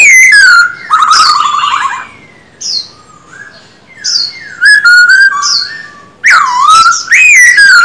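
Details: Captive black-throated laughingthrush in daily voice-training singing, giving loud, rich whistles that slur up and down, broken into varied phrases a second or two long with brief pauses between.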